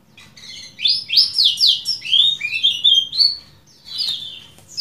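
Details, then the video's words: Lemon-bellied white-eye, known locally as kecial kuning, in a long training recording of the 'ciak jos' call style: a rapid chain of high, sharply swooping chirps, rising and falling, then a pause and a few softer slurred notes. "MASTERAN AMPUH CIAK JOS KECIAL KUNING DURASI PANJANG"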